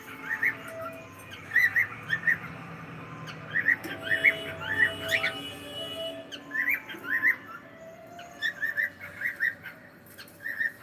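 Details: Pet cockatiel uttering many short rising whistled chirps in quick clusters throughout, against a background of steady tones and room noise.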